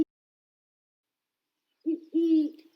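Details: Great horned owl near its nest in a redwood forest area, giving deep, soft hoots: a short note, then a longer, steady one, both low and muffled, with nothing else heard.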